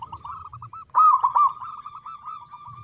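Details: Local zebra dove with a big voice singing manggung, a lure for doves that will not sing; short coos lead into a loud rolling burst, then a long run of quick, evenly spaced coos.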